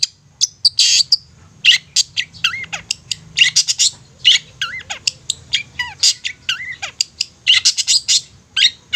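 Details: Long-tailed shrike song used as a lure to rouse silent shrikes into singing: a fast, varied run of harsh chattering bursts, sharp chips and slurred whistles, rising and falling rapidly with barely a pause.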